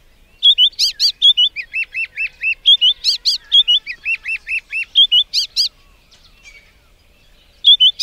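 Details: Song of a white-browed scrub robin: a long run of loud, evenly spaced whistled notes alternating between rising and falling shapes, punctuated by sharp high squeaks, then a pause before the next phrase begins.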